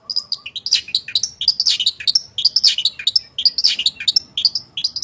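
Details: Loud, continuous long-tailed shrike song, a master recording for prompting shrikes to sing: a busy tumble of squeaky high chirps, quick slurs and sharp twitters with hardly any pause.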